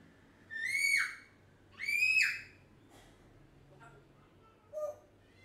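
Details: Pet African grey parrot, one year old, chattering constantly indoors: two loud harmonic calls that climb then drop sharply, followed by faint clicks and a brief nasal note.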